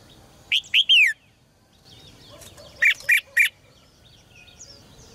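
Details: Caged red-whiskered bulbul in song to provoke males into singing loudly: a three-note whistled phrase dropping at the end, then three harsher, broader notes after a pause.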